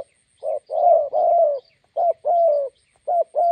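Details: Roadside in Gia Lai, Vietnam, with a decoy spotted dove meeting a wild bird: husky, slightly falling coos, a brief note followed by a long rolling one, repeated twice in quick series.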